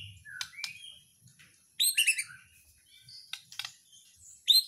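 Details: White-rumped shama of the Borneo/Nias type singing a gacoran, the full gembung style: loud, varied bursts of clear whistles mixed with sharp rasping notes and rapid high trills, broken by short pauses.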